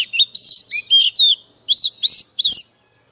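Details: Fierce song from a fired-up lure White-rumped shama: loud, ringing whistles that swoop up and down, given in rapid clipped phrases with brief pauses, clean and close.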